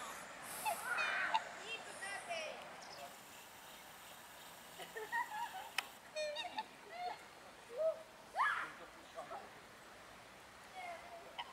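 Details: Black swans, a pair at Fagaras fortress, giving scattered short honking and bugling notes, some upslurred, spaced irregularly over background murmur.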